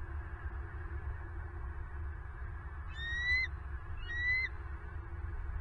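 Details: Bald eagles at a nest in Southwest Florida at 08:58 on the morning of November 26, 2022: two high, whistled, slightly rising notes with overtones, about a second apart, over a steady low rumble.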